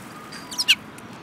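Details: Sparrows, one with a yellow beak, recorded on 18 January 2018; a quick run of short, bright chirps, the last one loudest, over a low background rumble.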